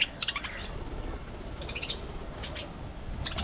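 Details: Colony budgies in an aviary giving scattered short bursts of chirpy squawks separated by quieter gaps, over a low background hum.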